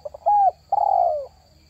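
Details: Spotted dove lure call: two quick soft notes, a short steady coo, then a longer coo that slowly falls in pitch, all clear over a faint low hum.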